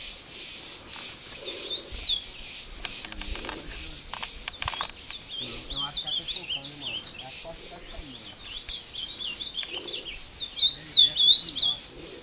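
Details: Ultramarine grosbeak in Passos, Minas Gerais, Brazil, a breeder's caged bird brought to the forest to fight with a free wild one: repeated high whistled phrases, faint early, louder rapid looping notes near the end, with rustling.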